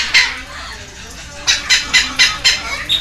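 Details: A pair of baby red-lored amazon parrots begging while fed at a rescue centre, Heredia Province, Costa Rica, in May 2022: after a single squawk and a pause, six evenly spaced raspy bursts follow in quick succession.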